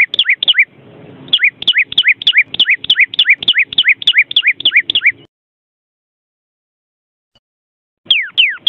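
A vermilion cardinal gives a fast run of clear, downslurred whistles, about three or four a second. It pauses briefly, then starts again.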